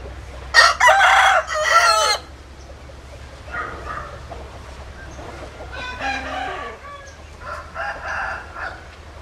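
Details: Rooster crowing: one loud, harsh, drawn-out crow of about one and a half seconds, followed by fainter, broken crowing and clucking notes further off.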